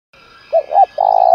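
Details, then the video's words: A single spotted dove 'thúc gù' phrase for luring wild and decoy birds: two quick low coos, then a long sustained coo, over faint steady high humming tones. "cu gáy thúc gù kích thích chim bổi và mồi rất nhạy gáy"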